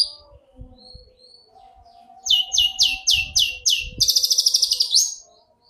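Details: Long-tailed shrike song for training captive birds: after a few soft thin whistles, a quick series of sharp downslurred notes is followed by a rapid buzzy rattle, with faint low background sounds.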